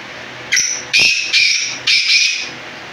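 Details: Black francolin calling. A harsh, grating phrase: one short clipped note, then three longer buzzy, rasping notes in quick rhythm. It is loud and close, with a faint background hum.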